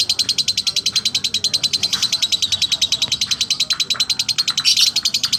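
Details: Lovebird singing a slow ngekek: a long, steady run of sharp, high, chattering notes repeated about eight times per second, with a brief louder burst near the end.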